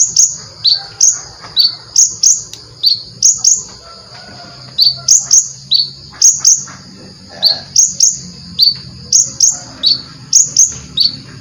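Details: Vigorous full-repertoire song of a brown-throated sunbird (konin), recorded as a tutor for cage birds: steady series of bright, high downward-slurred chirps, often doubled or tripled, in bursts separated by brief pauses over faint background hum.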